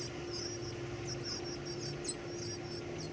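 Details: Baby birds being fed give high, thin squeaking calls in quick bursts of three or four, the bursts repeating about every half second against a faint steady hum.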